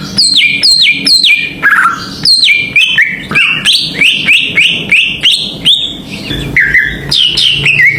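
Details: Greater green leafbird song used as a provoking lure: a fast series of bright down-slurred whistles repeated roughly twice a second, interspersed with chattering notes and warbles, soft low hum behind.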